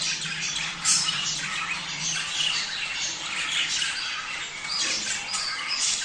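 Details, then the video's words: Budgerigars chattering, played to stimulate mating: dense, continuous warbling with scratchy squawks and quick chirps from many birds at once, and a sharp high note near the first second. "صوت تحفيز البادجي على التزاوج"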